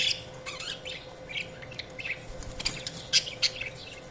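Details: Budgies chirping at a moderate level: scattered short, twittery high notes and squeaks, with several sharper chirps toward the end.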